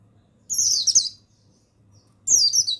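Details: Male mountain white-eye (pleci buxtoni) master song meant to stimulate lazy males to sing: two bursts of high, thin twittering, each phrase sliding downward, separated by about a second of quiet, with a faint low hum beneath.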